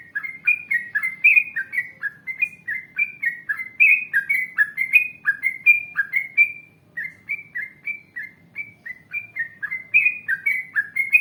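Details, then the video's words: Yellow-vented bulbul song in the long rolling 'ngalas panjang, ropel panjang' style, offered as a lure so other bulbuls reply. Bubbly, warbling notes pour out almost without a break for over ten seconds, with one brief gap partway through. "Masteran Trucukan Gacor Ngalas Panjang Ropel Panjang ❗Ampuh Untuk Pancingan Trucuk Agar Bunyi Nyaut"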